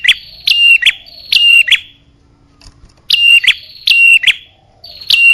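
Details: Bar-winged prinia lure call for drawing in males and females: bright high two-part notes, each a sharp downward slide into a level whistle followed by a quick upward flick, given in close pairs and bursts with a short silent gap midway.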